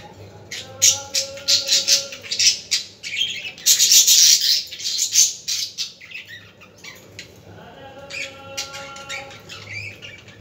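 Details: Budgerigars chattering to stimulate budgies: rapid clicking and scratchy warbled notes in a dense run, a brief lull, then more chatter with a low background hum.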